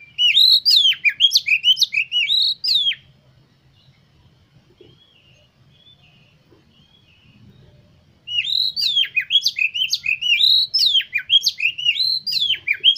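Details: Oriental magpie-robin song played as a lure to rouse kept magpie-robins into full song, with tail spread. Two bursts of rapid, varied whistles and sharp notes, separated by about five seconds of quiet with low background hum.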